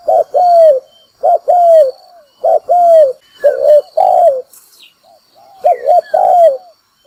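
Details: Spotted dove lure call for bird trapping: repeated pairs of a short coo followed by a longer down-curving coo, about one phrase per second, with high chirps from other birds outside.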